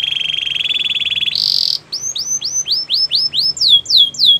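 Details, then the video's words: A Belgian canary sings a fast, even trill, then a harsh buzzy burst, then a run of quick rising whistled notes, about four a second. "Belgian canary singing"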